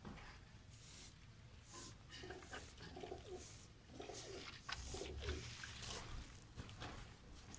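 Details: Kept pigeons in a loft, some of them painted with colour, giving soft low cooing phrases that recur irregularly amid shuffling, scratching and clicking noises in a small room.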